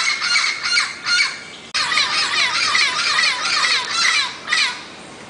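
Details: Turquoise-fronted amazon producing loud, harsh, overlapping squawks in a dense, uneven stream, with a sudden cut early on and the calls thinning out toward the end.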